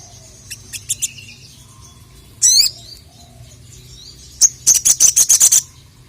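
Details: Crested jay calling to challenge a rival: scattered sharp high chirps, a brief buzzy double note, then a fast rattling burst of about eight clipped high notes.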